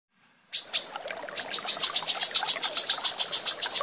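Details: Female brown-throated sunbird, recorded as a master for training other songbirds: a couple of opening chips, then a fast, even run of sharp, high, thin notes, about three or four a second.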